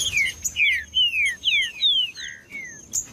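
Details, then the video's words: Short burst of green-winged saltator song played to warm up quiet birds: five or six bright, falling whistles in a row, ending in a lower, softer note, with a thin steady high tone underneath. "ESQUENTAR TRINCA FERRO FRIO COM TRINCA FERRO CANTANDO"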